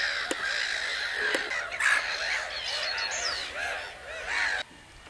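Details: A mass of common cranes calls with overlapping harsh, rolling notes and a couple of sharp taps. The calling stops abruptly shortly before the end.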